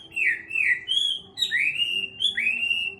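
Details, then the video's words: Chinese hwamei, caged about six months and just through its molt, sings long clear whistled phrases, each sliding down then rising again, with a high ringing quality and short pauses between. "Hoạ mi bổi 6 tháng lồng"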